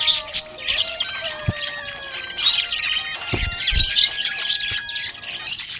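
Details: Happy budgerigar warbling steadily, with thin high twittering chirps layered over long sustained background music notes and a few soft thumps.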